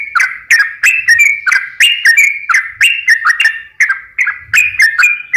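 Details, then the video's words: Energetic sooty-headed bulbul song, a lure to make lazy or stressed birds sing: short liquid whistled phrases with sharp clicks, dipping and rising, repeated roughly three times a second. "pancingan suara burung trucukan gacor"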